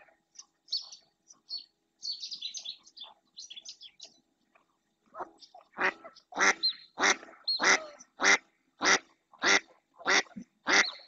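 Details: Female mallard calling insistently in the Doñana National Park marsh, Spain, while another female and a pair of males approach. Soft twittering at first, then a run of loud, harsh quacks about every half second.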